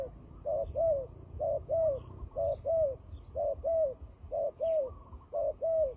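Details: Fighting call of a turtle dove, a sound used for trapping. Steady paired coos, each pair a short rounded note then a longer falling one, repeat evenly about once per second over faint background birds.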